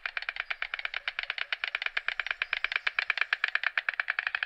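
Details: A White stork (Ciconia ciconia) clatters its bill, a dry wooden rattle of rapid knocks, about nine a second, held steadily throughout with no other sounds.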